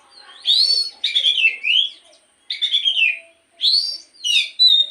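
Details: Kacer, the Oriental magpie-robin, giving morning song meant to spur other birds into singing: five rich, fluty phrases with descending slurs and harsher buzzy notes, each about half a second, with short gaps.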